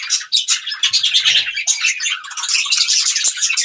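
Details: Continuous bright chattering from budgerigars eating green food, overlapping squeaks and warbled trills without pause, with a faint low rumble near the middle.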